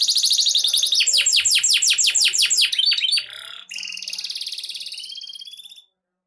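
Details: Canary from Bogor, Indonesia, set to compete at a big event, delivers rapid loud downslurred chips, then a smooth buzzy trill that fades out into silence.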